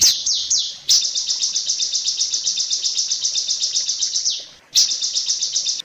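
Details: Long-tailed shrike teaching song for other shrikes: a few downslurred whistles, then a dense, buzzy high trill pulsing steadily, fading away before a sharp restart.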